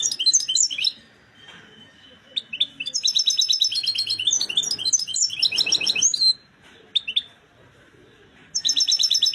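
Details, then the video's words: Excited European goldfinch in full song: rapid bright twittering and tinkling notes in dense high bursts, separated by short pauses, with faint low background murmur. "حسون هائج في قمة الجهوزية"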